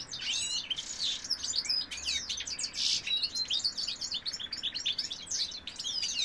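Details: A male European goldfinch sings loudly and continuously: tumbling high twitters and chirps mixed with a few harsh buzzy notes, delivered at a fast, unbroken pace.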